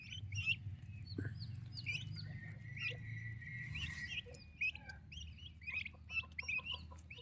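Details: Baby turkey chicks in their mother's care: scattered high peeps, one drawn-out whistled note in the middle, then quick upward chirps, over steady low rumble.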